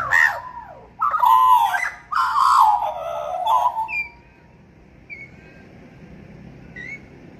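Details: Australian magpie family on a balcony on a Sunday morning, caroling for bonding and greeting: loud, rich warbling phrases in three rolling bursts, then soft, thin whistled notes.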